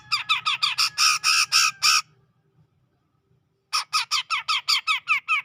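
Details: Ngepik-style song of a grey-cheeked bulbul from the Sumatran tropical forest, around Medan: two fast runs of coarse, nasal, downslurred notes, about eight in each, separated by a quiet gap of nearly two seconds.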